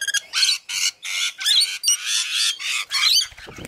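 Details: Rainbow lorikeets in a feeding frenzy at Mount Tamborine, Queensland, Australia: harsh, broadband screeching bursts repeated in quick succession, overlapping one another, with a low thump near the end.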